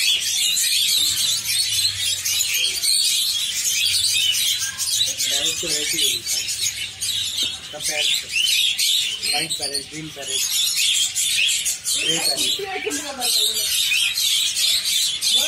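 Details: A flock of budgerigars chatters with dense, high chirps and warbles while people talk nearby, inside Science City, Ahmedabad.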